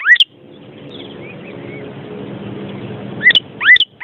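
Vermilion cardinal giving sharp, slurred whistled notes, one at the start and a pair near the end, with fainter whistles between over a steady low rumble.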